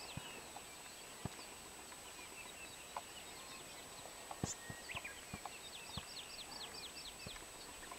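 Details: A Hawaii amakihi, a native Hawaiian honeycreeper, gives a quick run of about ten high, down-slurred chirps, roughly four per second, over a steady high hiss and scattered sharp clicks and knocks.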